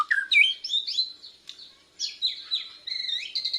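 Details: Young Bornean white-rumped shama practising its song, fluffing its chest feathers, picking up lure phrases: a varied run of clear rising and falling whistles and slurred notes, with brief pauses between phrases.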